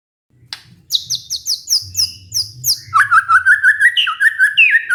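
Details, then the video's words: Lure song of the white-rumped shama for a stressed bird that has gone quiet: a series of high, sweeping, falling whistles, then a rapid, even trill-like run of lower ringing notes repeated several times a second. "pancingan murai batu macet bunyi karena stres"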